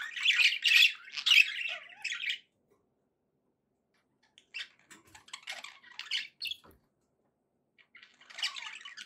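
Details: Happy pet budgerigars chattering indoors: a dense burst of harsh, squawky warbling, then a pause, then looser scattered chirps and a final short squawky phrase.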